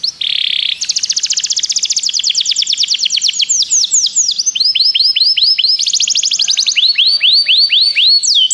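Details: Begie canary song used for training: a short buzzy burst, then a long rapid trill of crisp repeated notes, followed by runs of looping slurred whistles repeated several times each.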